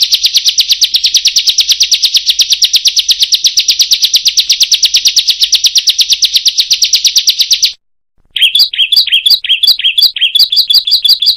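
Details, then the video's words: Bar-winged prinia singing in the roll tembak and long styles: a fast, even trill of high, buzzy, rapidly repeated notes running nearly eight seconds, a sudden short silence, then a quicker series of sharp, bright chirps. "Suara Prenjak / Ciblek Roll Tembak dan Panjang"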